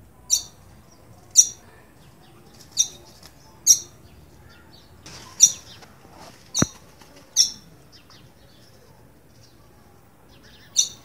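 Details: A Green-winged Saltator gives fearful alarm calls: sharp, high metallic chips, singly at irregular intervals of one to two seconds, with a single sharp click partway through.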